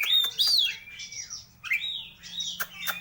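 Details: Oriental magpie-robin singing loud, varied whistled phrases, some sliding up and then down, mixed with sharp clicking notes and short pauses; a faint low hum underneath.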